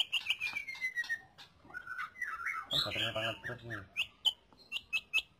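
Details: Song of a lesser green leafbird, played for teaching other birds: a long descending whistled phrase, warbled chatter, a raspy buzzing burst, then spaced bright high chip notes.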